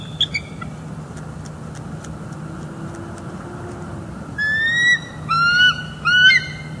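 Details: Northeast Florida nesting bald eagles on a December morning, mating break during incubation: a few faint high peeps, a quiet stretch, then three loud drawn-out piping cries with bright, layered overtones.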